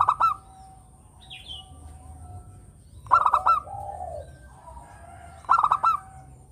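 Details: Local zebra dove in full voice, its sweet song used to lure others: three rattling coo phrases spaced about two and a half seconds apart, soft murmured notes and a brief high chirp between them.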